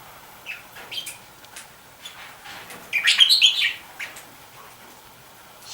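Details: As a female red-rumped parrot peers into a nest box with the male sitting beside her, scattered high, thin chirps come, then a brief burst of sharp twittering in the middle; otherwise it is quiet with faint hiss.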